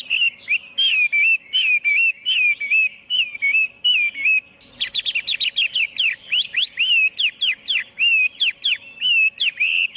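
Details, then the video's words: Chinese hwamei song in a noise-free recording: steady repeated downslurred whistles for several seconds, then a quick, dense cascade of varied swooping and chattering notes that continues to the end. "Tiếng chim hoạ mi hót không tạp âm"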